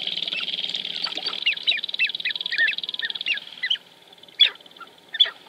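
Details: Dancing sharp-tailed grouse at Wainwright, Alberta, 2015. A high pulsing rattle with a string of short, falling chuck notes stops abruptly, followed by a few isolated sharp calls.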